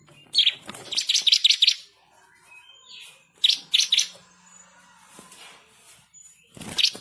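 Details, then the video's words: Bar-winged prinia (ciblek kristal) master song, described as lively and insistent with rolling trills and sharp shots: a run of fast, high, buzzy chirped notes, another short burst midway, then a final sharp burst after quiet pauses. "burung MASTERAN ciblek kristal gacor // ngamuk ngotot ngerol nembak pedas"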